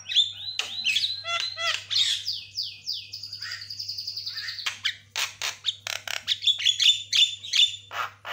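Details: Caged white-rumped shama in fast, busy song for bird training: rolling whistled trills and slurred notes, then quick sharp chips at about two or three per second, low hum underneath.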